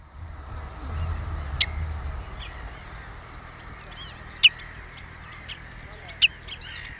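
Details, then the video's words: Common redshank calling at Ochsenmoor, Hüde, Germany, on 26 May 2018 at 14:15, giving short, sharp, high whistled notes, two loud ones a couple of seconds apart, over faint calls of other birds and a low rumble. "Redshank Call"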